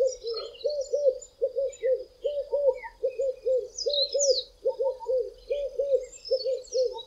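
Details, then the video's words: Red-eyed Doves, two birds singing from tall treetops on a hot day in South Africa, giving the "I am ... a red-eyed dove" song: steady run of deep arched coos, overlapping at times, with high twittering birds in the background. "RED-EYED DOVE singing "I am ... a red-eyed dove""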